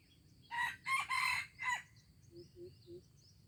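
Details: Junglefowl in Aceh, 25 April 2020, crowing in four raspy bursts, the final syllable trailing off, then three soft low clucking notes and faint high bird chirps in the background.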